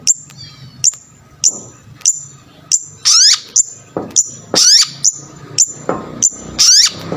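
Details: Long-tailed shrike calling to provoke other shrikes: short thin high notes repeated about every half second, broken by brief harsh descending rasps, over faint low background hum.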